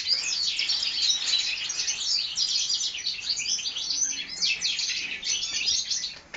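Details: Steady, energetic high twittering from four-month-old European goldfinch hybrids bred in the 2012 season, a tangle of quick tinkling notes and buzzy warbles lasting the whole stretch.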